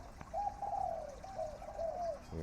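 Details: Spotted dove, a decoy bird kept for calling, gives a medium-pitched cooing phrase at morning: two soft, hollow, drawn-out coos in about two seconds, quiet background.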